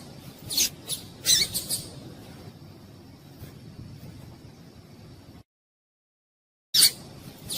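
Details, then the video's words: A female Double-collared Seedeater (papa-capim) gives thin, high chip notes in short clusters, pausing between bursts, over a faint steady high hum; a call used to stir up male seedeaters kept for singing tournaments. "Piado de Fêmea de Papa capim para Esquentar Papa capim"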